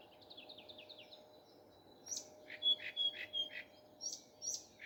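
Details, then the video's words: Morning nightingale song starting with quiet rapid chirps, then louder spaced notes and short bright whistles repeated several times. "Nightingale singing. Утренее Пение Соловья."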